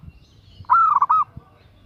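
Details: Calling to a male, a female zebra dove gives a single half-second cluster of rapid, mellow, bubbling coo notes in a quiet setting.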